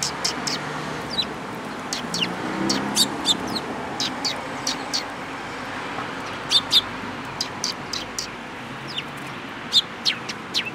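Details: Eurasian tree sparrows at a Tenmangu shrine on 14 April 2022, giving short sharp chirps scattered through the recording, some in quick pairs, over a steady low rumble of traffic.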